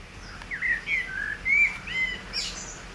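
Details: Common blackbird singing near reeds with frogs, 15 June 2020: a mellow, fluting phrase of several low whistled notes ending in a high, squeaky twitter, over a faint background hiss.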